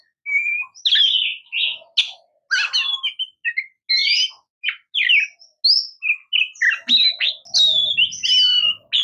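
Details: Oriental magpie-robin in continuous song, mixing sweet whistled notes, short buzzy chirps and sharp upslurs in a varied, unhurried sequence, with faint low background noise near the end.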